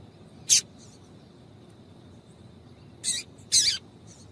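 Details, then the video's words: Female double-collared seedeater call played to get males singing: a single sharp, high chip, then after a pause two more short, high chips close together, over a faint steady hum. "Piado de Fêmea de Coleiro para Esquentar Coleiro"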